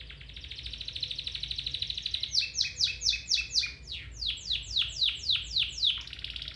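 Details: A domestic canary's training song for other canaries: a steady buzzy trill for two seconds, then loud downward-sliding notes repeated about twice a second.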